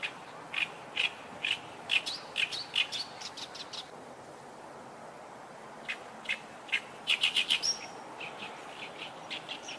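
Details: Oriental reed warbler singing in two bursts of harsh, grating, chattering notes, the second ending in a quick rattled run and a thin high whistle, separated by a pause of background hiss.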